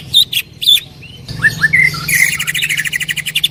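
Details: Greater green leafbird, a loud singer used as a training recording: sharp chip notes, then upslurred whistles leading into a long rapid buzzy trill.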